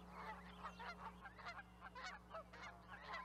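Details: Canada goose flock honking together, a dense overlapping chorus of nasal calls with several birds calling at once, quick irregular bursts throughout.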